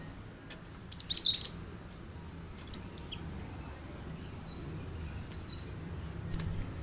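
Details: Cinereous tit heard on a recording meant to make a kept bird join in: a rapid cluster of piercing high chirps early, two more sharp notes shortly after, then quiet apart from faint hiss.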